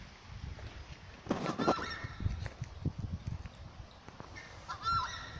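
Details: Southern screamer (tapacare or chajá) in the Santa Cruz Chaco gives honking calls: a blurred, noisy honk near the two-second mark, then a clear, loud, goose-like honk with a slight rise near the end, over steady low rumbling.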